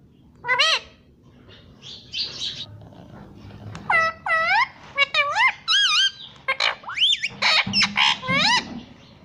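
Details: Parrot giving a series of loud harmonic calls, sweeping up and down in clear rising and falling arcs, some short and some longer, with brief squawky notes between and quiet gaps.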